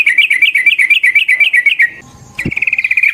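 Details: A sooty-headed bulbul rolls out a long fighting song meant to set off other bulbuls. A rapid loud chain of bouncing chirps for two seconds, a brief click, then another quick even trill.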